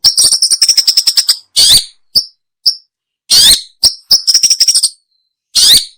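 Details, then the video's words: Long-tailed shrike, a recording meant for luring birds: a fast run of about a dozen sharp, high chattering notes, then harsh rasping bursts and short squeaks separated by silences. "Suara burung pentet/cendet cocok buat pikat"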